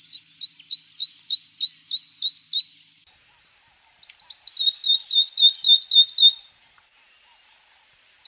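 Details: Abyssinian grosbeak canary, a species of Ethiopia, Kenya and Somalia, giving two bursts of quick zigzag whistles, each burst of about a dozen sharp up-down notes repeated almost four per second, the second phrase denser and more trilled.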